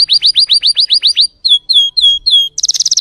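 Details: Timbrado canary, its song described as fierce and strong: a fast series of high, downward-swept notes, then slower clear whistled notes, ending in a rapid buzzy rattle.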